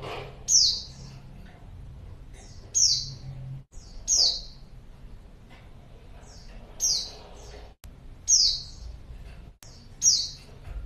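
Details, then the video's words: Female white-eye used to draw in a male, giving six sharp, high chirps that slide downward, spaced irregularly a second or two apart, with faint softer notes and low hum between them. "pleci betina#buat pancingan pleci jantan"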